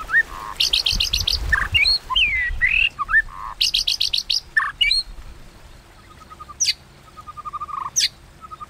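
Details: Fighting song of a white-rumped shama, meant to provoke rivals, 'kéo thuốc lào' style: rapid bursts of sharp high chips alternate with hooked whistles and buzzy low notes, then soft repeated low notes and two sharp high downslurs.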